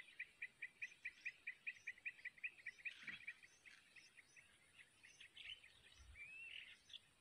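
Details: Sooty-headed bulbul chicks in the wild being fed at the nest by a parent, shortly after hatching; rapid, regular series of high chirps about two a second, then a busier twittering of mixed notes, insects faintly behind.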